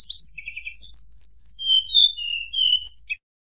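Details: Sunda blue robin (tledekan gunung) singing in a flute-like style that provokes rival birds: clear high whistles, a buzzy trill, then sliding notes stepping down in pitch, ending with two high whistles. No other sounds.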